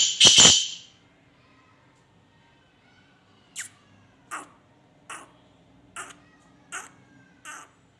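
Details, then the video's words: Francolin, called a Sindhi teetar, said to call all day long: one loud harsh burst opens, followed by a row of soft, short clicking notes repeated roughly every three-quarters of a second in a quiet room. "Insan must teetar || sindhi teetar Sara din.ka bular"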